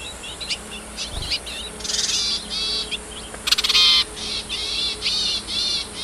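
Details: A wild yuhina foraging for food for its young gives high, rapid twittering chirps and buzzy bursts about every half second, with one harsher, louder burst midway, over a faint low hum.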